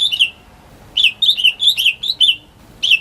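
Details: Greater green leafbird in a home, singing to draw silent birds into song: bursts of bright twittering and warbled notes separated by short pauses.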